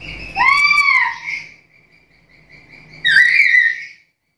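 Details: Captive black-capped lory producing a long arched harmonic note, a thin sustained tone, then a loud twisting squealing call with bright overtones.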